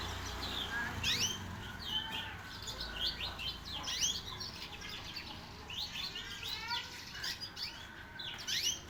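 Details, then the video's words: A young canary sings in continuous moropot-style chattering, a busy run of rapid high chirps and quick sweeping notes over a steady hiss and low background rumble. "moropot kie anak kenari paud"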